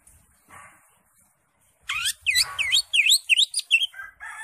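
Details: Greater green leafbird in ngentrok jambul gacor full isian style, crest raised: after a soft start, a loud rapid series of sweeping V-shaped whistles, repeated about three times per second, ending in lower buzzy notes.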